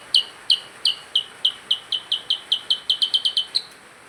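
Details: Percang in full song: a series of loud, bright downslurred chirps that start spaced and speed into a rapid run near the end, over a steady background hiss.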